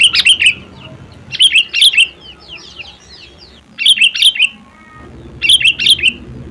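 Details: Sooty-headed bulbul singing in its natural voice: short bubbly phrases of three or four liquid, whistled notes, repeated about every one and a half to two seconds, with faint softer notes between phrases.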